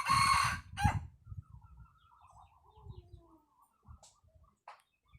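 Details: Red junglefowl crowing: a loud, harsh, harmonic-rich burst lasting about half a second, then a second short strained note. Faint bird chirps and low rustling follow in near silence.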